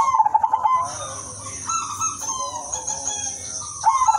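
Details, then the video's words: Zebra dove of the udanmas silver type, singing lively and melodious to lure other doves: quick bursts of staccato cooing notes open and close the clip, with drawn-out tonal notes between them over a steady high-pitched background hiss. "perkutut udanmas silver gacor irama merdu jadi pancingan semua perkutut"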